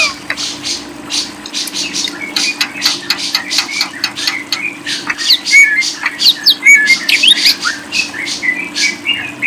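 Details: Lovebird singing in a long, dense run of high, scratchy chirps and chatters that come in quick, uneven bursts. A faint steady hum sits underneath.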